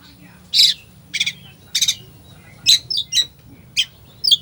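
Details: A rich 'isian' song from an Oriental magpie-robin, meant to rouse a lazy bird: loud harsh buzzy notes in quick succession, broken by short piercing whistled chips, about one to two per second, over faint hum.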